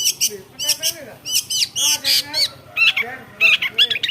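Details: Long-tailed shrike, a mimic of many bird voices, producing loud scratchy squawks and rolling chatter in irregular bursts, with a steady low hum in the background.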